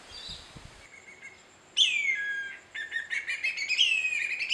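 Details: A male whistling kite calls out to his mates: a long, clear whistle that slides downward, then a quick run of short, rising whistled notes. No other sounds stand out.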